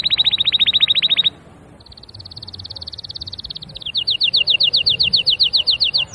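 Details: Canary trilling rapidly, pausing briefly, then producing a high, fast, buzzy rattle before moving into louder, clearly separated repeated notes.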